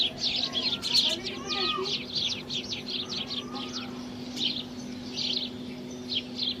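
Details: House sparrows in India: a lively run of sharp chirps and tweets, with close bursts early on and sparser calls later. A faint low murmur and a constant hum sit in the background.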